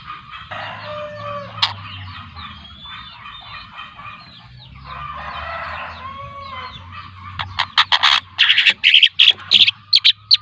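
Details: Young long-tailed shrike from Lampung, a two-month-old trotol bird, with a long stretch of soft mixed chattering and whistles, ending in a loud run of rapid harsh rasping notes.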